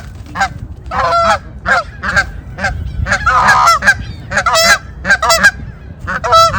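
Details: Geese chasing one another in winter snow, honking loudly: a rapid series of short nasal honks, many overlapping, some rising into harsh squeals, with steady low background rumble.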